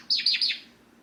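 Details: Caged pet Java sparrow calling to its owner, who is leaving: a quick burst of three loud, high, bell-like chirps, each dipping slightly, all within half a second.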